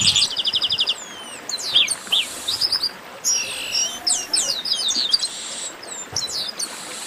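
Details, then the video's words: Chestnut-capped blackbird (garibaldi) 'baderna', a noisy group chorus meant to warm up a kept bird: overlapping high whistles, sharp rising and falling notes and quick buzzy trills from several birds, with bursts every second or so and brief hissy noise. "Baderna de Garibaldi"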